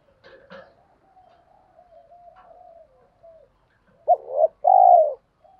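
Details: Spotted dove cooing for stimulating birds in training: faint, soft murmuring notes first, then one loud two-part coo, a brief clipped note followed by a longer, full, falling coo.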